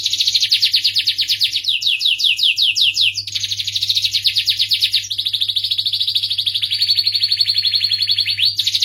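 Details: Canary of the starblue type in full song: long rapid trills of repeated notes, each tour switching to a new trill, some notes sweeping downward, others steady and buzzy, continuous for nearly nine seconds with a faint low hum behind.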